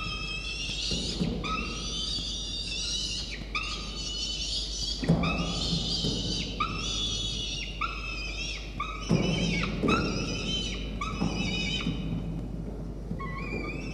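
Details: Peregrine falcon nestling, still hungry after a feed, repeatedly utters harsh, drawn-out whining begs every second or two while pecking at the adult female's talons and beak. Occasional thumps are audible over a low hum. Recorded 1 November 2021.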